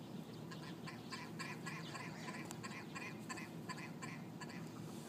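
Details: Large flock of ptarmigan squabbling on a street in Yellowknife, Northwest Territories; rapid bursts of dry, clicking, rattling calls overlap continuously, pulsing several times a second over a steady low background hum.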